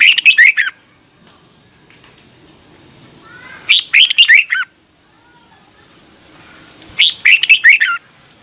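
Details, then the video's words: Morning song of a red-whiskered bulbul, recorded in 2021 as a training aid for other birds: three bright, gurgling phrases of rapid stacked notes, spaced about three seconds apart, separated by quiet, with a faint steady tone throughout. "Luyện chào mào hót sáng 2021 - QUÁ HAY KÍCH BỔI NHANH CĂNG LỬA"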